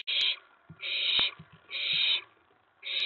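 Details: Nighttime recording from May 19, 2017: an owlet, worked up over a delivered mouse, gives rasping, hiss-like screeches roughly once a second. A sharp click and light scuffling sounds fall between the calls.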